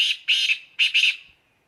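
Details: Black francolin calling excitedly: harsh, raspy grating notes given in two paired bursts, each double note buzzy and broad, then fading.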